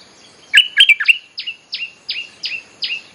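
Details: Bulbul lure song: a cluster of bubbly chirps followed by six evenly spaced downslurred whistles.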